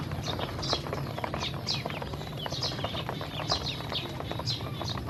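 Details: Hungry domestic ducklings being given feed and drinking water; steady high, downslurred peeps repeated in quick succession over dense clicking of bills pecking at food.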